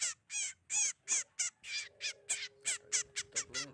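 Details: {'text': 'Sogon bird lure call used by trappers: harsh, raspy notes repeated rapidly about three per second, each a grating burst; a faint steady hum runs beneath in the second half.'}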